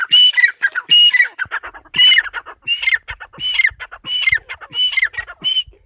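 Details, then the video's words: Female teetar (partridge) calling in its lively style: a steady string of grating, squawky phrases with whistled overtones, about eight in six seconds. "mdi ke Awaz # tetar sound # Teetar Voice # Atif Bhkar Bird # Tetar ke masti wali korak"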